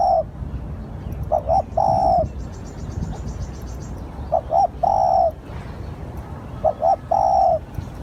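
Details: Spotted dove lure call, mellow coos in a steady pattern of two quick notes then a long drawn note, four phrases spaced about two seconds apart, small birds chirping faintly.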